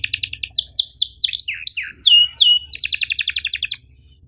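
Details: Canary singing a masteran in the sharp chirp-and-roll style for training canaries: repeated downslurred whistled notes, a few longer sweeping phrases, then a fast pulsing trill before falling silent, with faint low hum.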